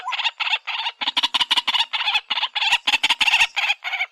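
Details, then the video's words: White-breasted waterhen producing rapid, scratchy, grating notes, first spaced then crowded into a fast burst, with a hoarse, high-pitched quality throughout. "Dak pakhi sound very nice"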